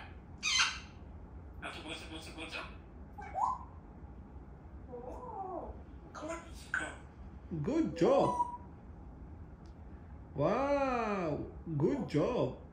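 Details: A pet African grey parrot talks in short, word-like phrases with human-sounding voice tones, mixed with sharp clicks and a few whistled notes.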